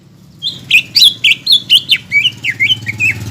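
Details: Greater green leafbird, a lively singer used to provoke a silent caged bird: a rapid chain of squeaky, twisting whistled notes, loud at first then softening, over a steady low rumbling background.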